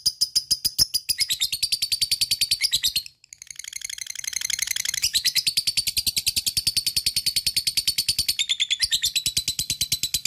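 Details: Lovebird giving the extended 'ngekek panjang' chattering trill meant to excite other lovebirds into song; a long, fast, unbroken series of shrill buzzy pulses, briefly interrupted near the middle, then resuming steadily to the end.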